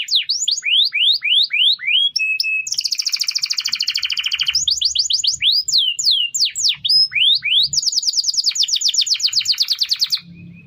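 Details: Canary singing as a model for other birds to learn from: spaced rising whistles, a buzzy rattling trill, varied downslurred chirps and a further rapid trill, with faint low background noise.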